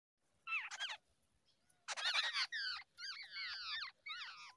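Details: Wild babbler in Asia feeding and cleaning up after its chicks; loud harsh chirps in bursts, a short pair of notes then several longer descending slurred squeaks, repeated with brief pauses.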